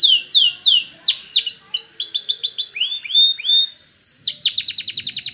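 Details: Canary song for training young birds: repeated curved downslurred whistles give way to quick chip series, flat whistled notes and a final fast pulsed roll.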